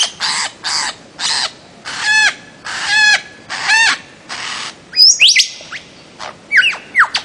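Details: A bird-of-paradise from Papua and the Aru Islands, Maluku, gives several raspy, nasal squawks, each about a quarter-second long, followed by a quick run of high sharp chirps and whistles.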